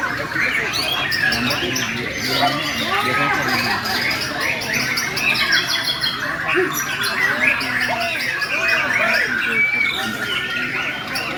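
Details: White-rumped shama (murai borneo) performing in an aggressive fighting style at loud volume: sustained, dense bursts of rapid, varied whistled and chattering phrases, running almost without pause for eleven seconds.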